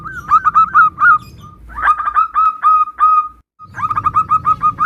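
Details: Local Zebra dove in full song, part of a varied compilation meant to draw replies from other doves: clustered rapid staccato notes on one pitch, a short gap, then another quick run, over low background noise.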